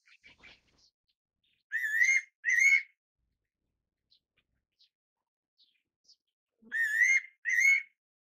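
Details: Fairy pitta giving two clear whistled notes, each slightly rising with a buzzy edge, in a pair near the start and repeated as another pair later, with faint soft ticks between.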